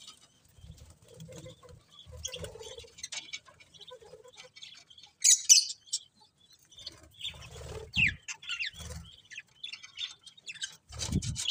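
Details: Pet budgerigars chirping: sparse high warbles and quick sweeping notes, louder bursts midway and near the end, with low thumps and rustling in between.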